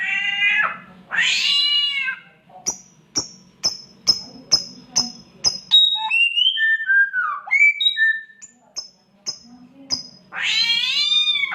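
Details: Samyong mimicking a cat in heat: harsh meowing wails open and close the sequence, between them a rapid run of sharp ticking clicks and then slurred whistled notes sliding downward, over a low background hum.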